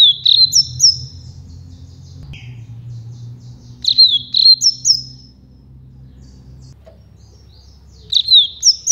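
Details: Rusty-collared seedeater giving the flute-like campainha song, also named carretilha, for training fledglings; three phrases of sharp, high whistles with falling slurs and higher upslurred notes, spaced about four seconds apart, with a low background hum.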